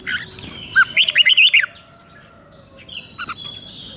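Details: Single fluent whistled phrase of a Thai red-whiskered bulbul, five-syllable doubled song type, rapid rising and falling notes lasting under a second, followed by faint distant chirps.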